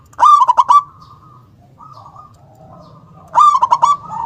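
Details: Local zebra dove (perkutut), a lively singer with a big, snapping voice and a powerful 'kung'. Two phrases of rapid staccato coos about three seconds apart, with soft, quieter coos between them and a low background hum.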